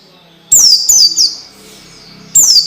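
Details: Training song for orange-headed thrush to help young birds sing sooner and more freely: three rapid high downward-slurred chirps, a short echoing pause, then one more piercing falling note, with a faint low hum behind.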